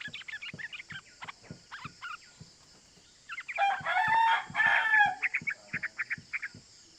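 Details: Lively yellow-vented bulbul call used as a lure to provoke other bulbuls into calling; quick bursts of short harsh notes build into a dense, loud chatter midway, then fade into scattered notes over faint regular low ticking.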